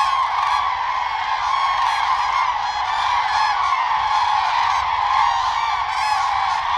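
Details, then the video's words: Common crane flock calling in the mating season while dancing. The courtship call comes as the birds bow head and neck. Many loud honking trumpet calls overlap into a steady, continuous roar with no pauses. "Crane bird sound"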